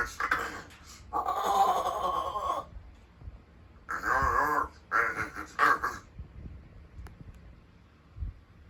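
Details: Rescued large-billed crow vocalising in the morning, its liveliest time, practising its voice to greet with a hearty good morning; a long hoarse harmonic call, then a pause and three shorter rasping calls in quick succession, in a quiet small room.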